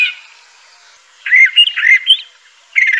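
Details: Crissal thrasher (Toxostoma crissale) delivers one short warbled phrase of slurred, rising and falling notes, followed after a pause by the start of another.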